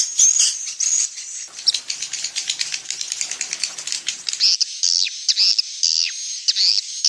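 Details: Swiftlet lure sound for dusk roosting: rapid clicking, rattling chatter of many birds, with sharp high whistles and chirps breaking through in the final seconds.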